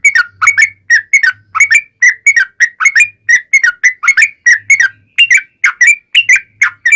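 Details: Yellow-vented bulbul singing a long rapid-fire song in the style called ropel panjang, used as a lure so other bulbuls answer: a fast chain of bubbly, slurred whistled notes, rising and falling, delivered in quick bursts with brief pauses.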